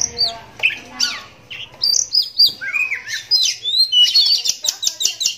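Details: Loud, varied song of a pet oriental magpie-robin that lost sight in one eye to cataract as a youngster: high sweeping whistles, scratchy chirps and slurred glides, ending in a fast burst of sharp clicking notes.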